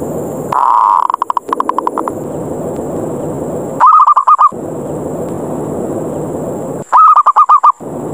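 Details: Ngerot-style zebra dove lure call intended to provoke fighting and pull in any dove nearby; a longer opening phrase of fast stuttering coos, then two shorter rapid bursts about three seconds apart, with constant hiss between.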